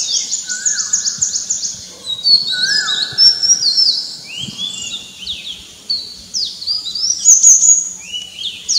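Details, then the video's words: Oriental magpie-robin singing in the morning within a bird chorus: dense overlapping high, sharply downslurred chirps, broken by a few lower, drawn-out level whistles that dip at the end. "Morning Bird Sound - Magpie Robin and Chorus"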